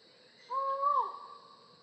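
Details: A single loud, hollow 'aow' from a collared forest falcon, held for about half a second with a slight rise, then sliding down at the end.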